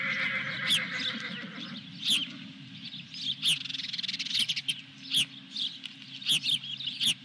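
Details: At a Dunrovin Ranch nest on 23 June 2021, an osprey with a fish gives bright, high chirps in quick bunches. A brief lower rasp opens the clip, and a low hum and sharp ticks run beneath.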